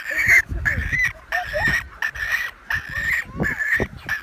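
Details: Breeding colony of American white pelicans mixed with cormorants, remote Canadian island, June 2018, iPhone 7 Plus recording: raspy, buzzy calls in irregular bursts, with some lower grunting and handling noise between them.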